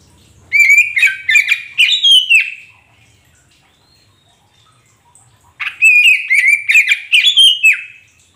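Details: Kacer poci magpie robin used as a singing prompt for a mute caged bird: two vigorous phrases of chattering, buzzy whistled notes about five seconds apart, with a quiet gap between them.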